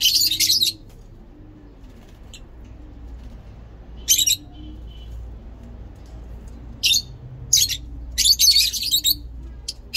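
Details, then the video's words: Shrill, grating bursts from breeding lovebirds come at the start and again in a busy run near the end, separated by quiet gaps, with gentle dove-like cooing low in the background. "Lovebirds singing lovebird talking"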